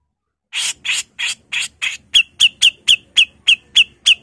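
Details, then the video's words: A female grey-cheeked bulbul starts with five broad, coarse rasps. It then switches to eight sharper notes, each with a clear down-slurred whistle, repeated about four times a second in the harsh 'mbesetan' style. "MASTERAN CUCAK JENGGOT GACOR FULL MBESETAN || CUCAK JENGGOT BETINA GACOR"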